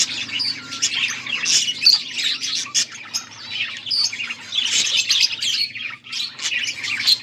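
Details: Several budgies chatter on August 14, 2024, with busy, overlapping high chirps and warbles that rise and fall in loudness, broken by sharp squeaky notes, all over a faint steady low hum.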